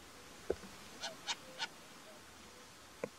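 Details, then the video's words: Short-eared owl (Asio flammeus flammeus) in the mountains of Härjedalen, Sweden: three short, harsh, raspy barks about a quarter second apart, with fainter low hoarse notes at the start and end, over quiet background hiss. "Sumpfohreule ruf. Jorduggla läte. Mosehornugle lyd."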